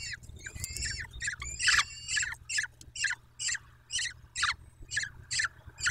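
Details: Peregrine falcons at a nest in Dobra, 14 May 2021: a few longer harsh wails, then short, clipped calls repeated steadily about twice per second.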